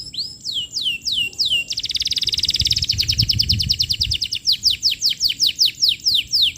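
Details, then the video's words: Canary lure song for tutoring young birds: three falling whistles, a dense rattling trill, then steady rows of sharp down-slurred notes repeated several times a second. "Suara Pancingan Kenari Gacor, Cocok Untuk Materan Paud Kenari"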